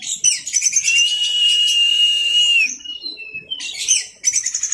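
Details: Orange-headed thrush in teler-style masteran song: a long drawn buzzy whistle held steady for over two seconds, then short lower notes and a burst of rapid high chatter.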